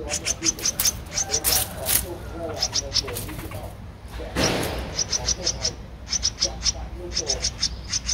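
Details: Streak-eared bulbul nestling, 13 days old, in Ubon Ratchathani, Thailand, on 15 April 2023; its eyes opened at seven days. Short, very high, thin notes repeat in quick bursts, with soft lower chatter and a steady low hum beneath.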